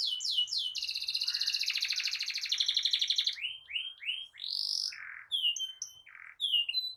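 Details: Vigorous canary song used as a master to start other canaries singing: quick sweeping notes, an extended buzzy trill, then varied rising whistles and chips.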